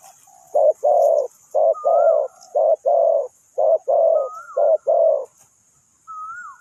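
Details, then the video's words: Decoy spotted dove for bird trapping in Ninh Thuận giving low, throaty paired coos, a quick note then a longer rolling one, repeated about once a second, with a thin whistled rising-falling note from another bird above. "นกเขาใหญ่สายต่อดิน,The Sound Of the dove"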